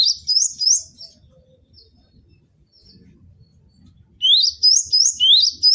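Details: Cinereous tit recording meant to tutor caged birds: a short burst of high upslurred whistles, nearly three seconds of near silence, then a lively run of rising two-part notes.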